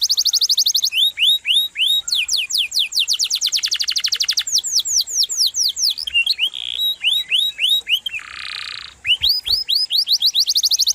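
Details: Canary in full rolling song, used as a tutor for training other songbirds: a fast high trill, then runs of upswept whistled notes, with short buzzy bursts near the end.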